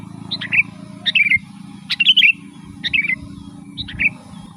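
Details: Sooty-headed bulbul song, the 'gacor' style used to summon wild birds: five quick liquid phrases of rising and falling chirps, slightly softer, with a constant low hum in the background.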